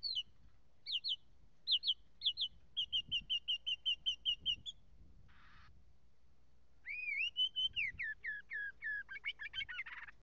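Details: Northern mockingbird song: falling whistled phrases repeated in threes, a rapid series of a dozen short notes, a brief noisy burst, then a long varied run of slurred rising and falling notes.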